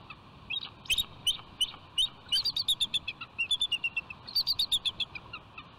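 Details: Pair of wild bald eagles on the nest rock at Catalina Island, California, on 24 January 2020, both calling before mating; a rapid series of thin, high, squeaky chirps in bursts, steady low background hiss.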